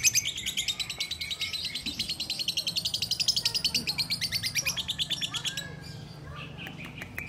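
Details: Lovebird carried in someone's hands, delivering a rapid stream of high, scratchy notes for about six seconds before falling quiet, leaving a few isolated chirps.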